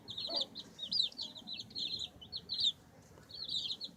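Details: Baby chicks pecking and scratching, giving rapid high, thin peeping chirps in quick runs of short notes, with a brief pause near the end before another burst; faint low background rumble.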